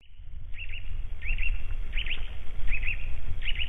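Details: At a white-tailed eagle nest in Latvia in March 2012, thin, high chirping notes come in quick pairs about every 0.7 seconds over a heavy low rumble of wind.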